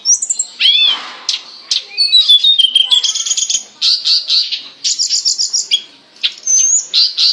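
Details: Hill blue flycatcher song used as a master recording to train captive songbirds: rapid varied high whistles, slurred downward notes and dense chattering phrases, continuous and loud.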